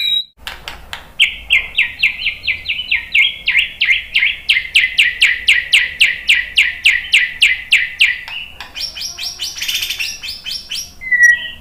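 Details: White-rumped shama in continuous song, meant to provoke others into singing. A long rapid series of about thirty buzzy, evenly spaced notes runs for eight seconds. It ends in a higher, harsher burst and a final clear whistle.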